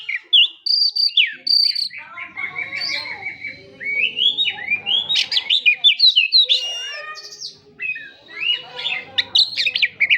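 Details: Oriental magpie-robin giving sustained gacor song: loud pure whistles, sweeping slurs and quick chattering notes, repeated in fast irregular phrases with little pause.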